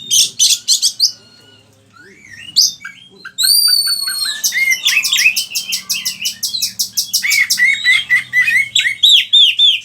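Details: Oriental magpie-robin in full lively song, used as a lure and tutor for other kept birds: sweet whistled phrases and rising slurs, then a fast rhythmic run of sharp repeated notes and downslurred chips near the end.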